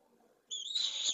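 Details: A pallid swift at a nest in Jerez de la Frontera, Spain, leaving in the morning after the night, gives a harsh, buzzy screaming call, high and slightly rising, held about half a second after a quiet start.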